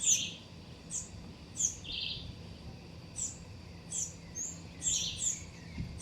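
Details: Shiny Cowbird (Molothrus bonariensis) among other birds in a garden where young birds are growing up. High, thin whistled notes and brief buzzy bursts repeat about every second, over a low background hum.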